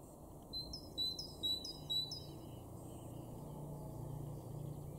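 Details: Great tit in a garden in Weener, East Frisia, northwest Germany, April 2023, giving four quick, bright two-note phrases about half a second apart over a low steady rumble.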